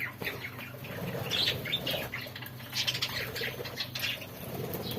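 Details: Budgerigars, including red-eyed birds, in Rawalpindi chatter in a steady stream of high, scratchy chirps and twitters, with fluttering wings.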